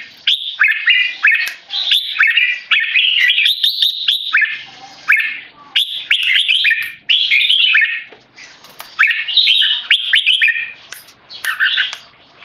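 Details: Red-whiskered bulbul, a tame caged male, answering human disturbance with loud clear keke calls: clustered bright chirping phrases with up-and-down slurs, in bursts separated by short pauses.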